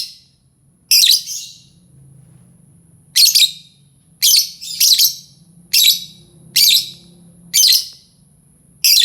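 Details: Lovebird luring call: harsh, buzzy shrieks, a few in close doublets, repeating around once a second after an opening pause, with a faint high tone and low hum behind.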